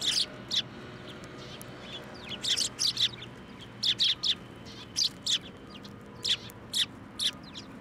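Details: Several sparrows flying onto an outstretched hand for food at Tenmangu shrine, 17 January 2024, utter crisp high chirps, singly and in pairs, repeated roughly every half second, over a faint low hum.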